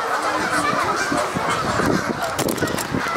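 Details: A large crowd of Canada geese (Branta canadensis) at Sapsucker Woods, Ithaca, New York, on 17 September 2016, skirmishing, honks nonstop, loud overlapping nasal honks with no pause, while a person speaks quietly in the background.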